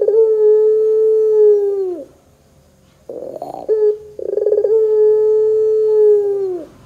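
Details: Barbary dove of the pelung style, recorded as a lure to make doves sing: two long drawn-out low coos of about two seconds, each dropping at the close, split by rough rolling notes.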